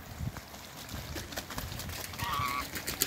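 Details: Mallard (Anas platyrhynchos), one of a newly arrived pair in a backyard, gives a single nasal, slightly drawn-out quack over rustling and clicking noise; call.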